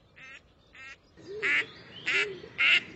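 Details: Female Gadwall calls compiled for comparison with female Mallard, played during a training session on nocturnal flight calls of ducks in France: a series of nasal quacks, the last three louder, each about a quarter second long.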